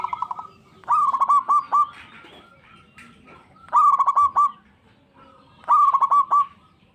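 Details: Zebra dove giving three rolling phrases of quick, gurgling coos a couple of seconds apart, each a tight cluster of hollow notes, over soft low background noise.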